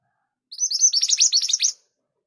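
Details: Scarlet minivet, known locally as mantenan gunung, singing energetically: a rapid burst of about a dozen sharp, high, downward-slurred chirps run together over just over a second, with no other sounds.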